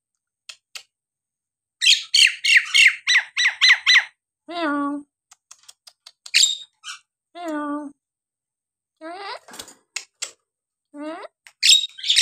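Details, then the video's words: Mixed Nias hill myna vocalizations: a rapid string of harsh chattering squawks, two long nasal honks, shrill whistles and clicks, and loud rasping notes at the close. "jalak nias gacor!! buat terapi jalak nias bahan atau yg malas bunyi agar gacor kembali"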